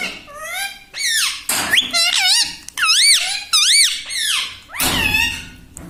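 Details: Household parrot that imitates words such as "mummy" and "mitthu" gives a rapid chain of wavering, looping harmonic notes, bending up and down about once a second, with brief noisy bursts between them, recorded in a small room.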